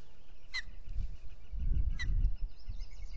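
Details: Osprey trio on their nest in New York's Finger Lakes at dawn, 30 April 2022, recorded by a solar nest camera. Two brief, high, downward-sliding chirps stand about 1.5 seconds apart above gusty wind and knocking from the housing.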